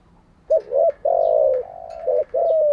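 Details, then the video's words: Decoy spotted dove cooing, used for daily training of newly caught and decoy doves: a short double hooting coo, then a long, mellow, slightly falling coo and a lower drawn note, ending in another quick double coo. "Tiếng chim cu gáy mới nhất, dùng luyện chim gáy bổi và mồi hàng ngày || Chim cu gáy mồi"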